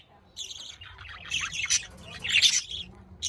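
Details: Budgerigars chattering in a busy, scratchy warble of high buzzy notes and squeaks, rising in loose bursts over about three seconds with little pause.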